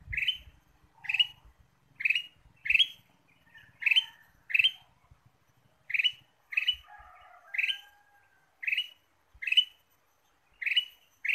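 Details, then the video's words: Ruby-throated bulbul lure sound: a sustained string of short, scratchy chirps, some paired, with a faint thin whistle partway through and light low thumps at the start. "PIKAT KUTILANG EMAS GACOR"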